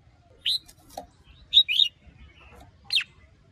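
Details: Red-whiskered bulbul stimulated by a female: a few scattered whistled notes, a quick double warble and a steep downward slur, interspersed with brief dry ticks.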